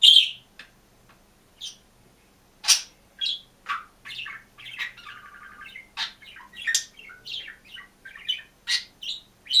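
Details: Solitary green budgerigar in its cage singing and chirping: a loud opening chirp, then a varied, rambling warble of clicks, squeaks, buzzy rattles and bright chirps that grows busier toward the end.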